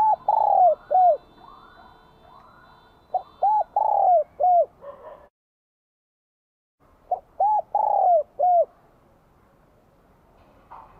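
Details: Bell-voiced spotted dove from Vietnam singing for spring 2023: two full cooing phrases several seconds apart, each a quick short note, hooked coos, a long falling coo and a closing curved note, with soft background hiss.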